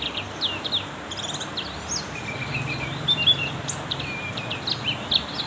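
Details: Black-capped white-eye in heavy rain giving scattered high chirps and short downslurred whistles, irregularly spaced, under a steady wash of rain noise.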